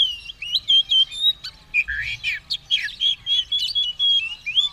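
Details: White-rumped shama, caged, ready to fight with tail spread, in rich continuous song: looping whistles, rapid chattering phrases and rising slurs delivered without pause.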